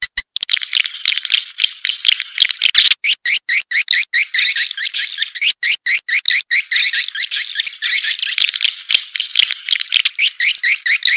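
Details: Swiftlet lure track named Raja Liur Emas, meant for attracting edible-nest swiftlets to a nesting house: dense, continuous high twittering with fast repeated chirps and short gaps throughout.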